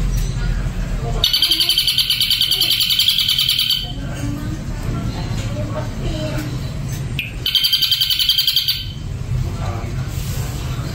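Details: Two spells of rapid, harsh buzzing trill from an Ashy drongo, each about two to three seconds long, separated by a stretch of low murmuring and background noise.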